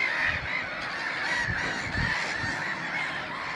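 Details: Black-headed gulls with a recently hatched chick at Messingham Sand Quarry Nature Reserve: dense, overlapping harsh calls from many gulls throughout, with scattered low thumps beneath.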